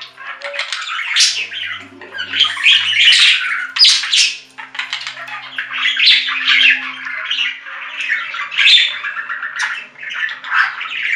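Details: Long lively budgerigar chatter: repeated scratchy squawks, squeaks and chirps in rhythmic bursts about every second, barely pausing.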